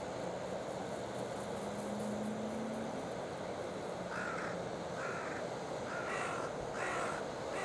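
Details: Wild carrion crows at a waterside feeding ground on the Oita River, October 15 at 8:12 in the morning, with a territorial downstream pair chasing another crow; four hoarse caws come from about midway, over a steady low engine-like hum.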